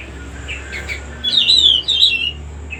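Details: Cucak rumbai song: a few soft chirps lead into two loud, fast, rippling warbled phrases, the first longer, separated by a brief pause. A steady low hum plays underneath.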